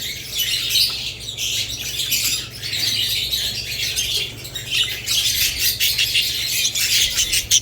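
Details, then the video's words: A busy group of budgerigars chirps and squawks in dense, scratchy high chatter with brief lulls, a low hum running underneath. "Budgerigars lovebirds Chirping Sounds"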